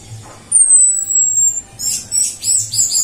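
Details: Female orange-headed thrush whistle used as a lure: a long, high, clean whistle sliding gently downward, followed by a burst of rapid, sharp chirping notes.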